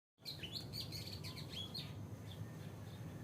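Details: Oriental Magpie-Robin singing a wake-up song: a quick run of clear, varied whistles, some rising and some falling, packed into about a second and a half, then a few sparse notes over a steady low background hum.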